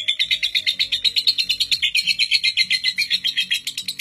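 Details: Lovebird in its record-breaking ngekek, a non-stop trill said to last seven minutes, kept as a master for teaching young lovebirds long ngekek: fast, even, high chattering notes, about seven per second, with faint low tones beneath.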